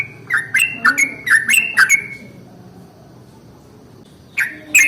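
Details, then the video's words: Yellow-vented bulbul's long rolling morning song, meant to set other bulbuls singing. A quick burst of six bubbly, slurred notes stops for about two seconds, then the chirps start again. "SUARA trucukan ROPEL PANJANG pagi hari | Rajanya bikin trucukan lain gacor"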